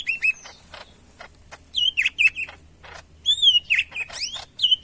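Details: Greater green leafbird of the Medan type in lively song, giving clear mid-pitched whistles with quick upward and downward twists in two bursts, separated by sharp ticking clicks and a quiet low hum.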